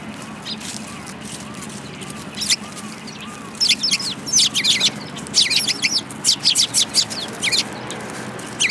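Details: Eurasian tree sparrows coming to be fed at a Tenmangu shrine on 10 February 2022; quiet start with soft low notes, then from about three and a half seconds a busy stream of sharp, overlapping chirps.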